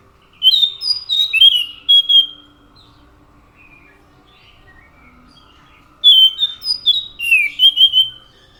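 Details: Anis macan thrush singing two separate phrases of rapid, high, fluty whistles with downward slurs, divided by a long quiet gap.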